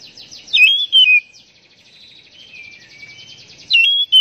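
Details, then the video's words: Oriental magpie-robin (kacer) song for stimulating captive birds: two short loud whistled phrases, a long faint warbling stretch in between, and another bright whistle starting at the end, over a soft hiss. "Pancingan Burung Kacer Agar Cepat Gacor"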